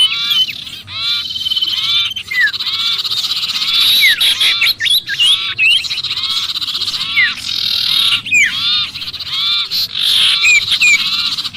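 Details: Agitated sirpu calling as if trapped, used as a lure for other birds: long stretches of rapid, harsh, nasal chatter interspersed with quick down-slurred and up-slurred squeaks, barely pausing.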